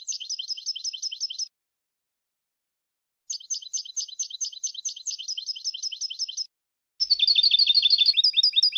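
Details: Goldfinch song for educating contest birds: fast series of bright repeated chirps in three phrases separated by short silences, the last phrase denser with buzzy trilled notes and high tinkles.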